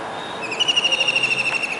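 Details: Kingfisher perched on a dish antenna atop a building in Surat, Gujarat, on a rainy July day in 2019, calling: one fast, even trill of sharp pulses holding a steady high pitch for about a second.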